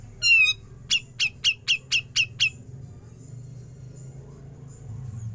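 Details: Grey-cheeked bulbul besetan followed by ngepik, recorded for training songbirds. One long, buzzy, wavering note, then seven quick, harsh, clipped notes about every quarter second, then quiet with a low hum.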